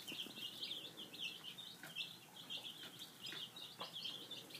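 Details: Young domestic chicks, five days old, eating breakfast; a busy stream of piercing, downslurred peeps repeated rapidly, with occasional pecks against the feeder.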